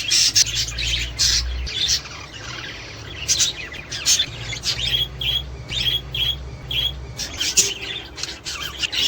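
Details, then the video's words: Budgerigars chattering to prompt mating and egg laying, with sharp chirps, whistled squeaks and scratchy warbles arriving in clustered bursts separated by short quieter gaps, low hum beneath. "تحفيز طيور البادجي الأسترالي علي التزاوج والانتاج والتكاثر والبيض"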